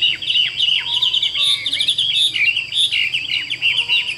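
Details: Partly tamed caged Chinese hwamei pouring out a dense, lively, high-pitched warble of chirps and whistled slurs with no real pauses.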